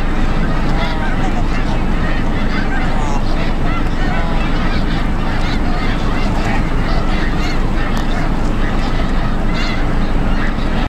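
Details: Snow geese in huge numbers at Bombay Hook refuge, Delaware, USA, December 4, 2006: busy, overlapping honks and barks throughout, partly buried under strong low-pitched rumble.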